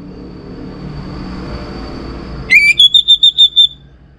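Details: Orange-headed thrush lure song: after a stretch of low hum and a faint steady tone, a rising whistle leads into six or seven quick, even whistled pulses on one pitch, then fades.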